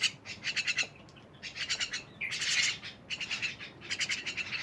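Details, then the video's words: Myna chattering in fairly quiet, raspy pulsed runs with gaps between them, interrupted by one louder harsh buzzy squawk midway. "rame bersama burung jalak"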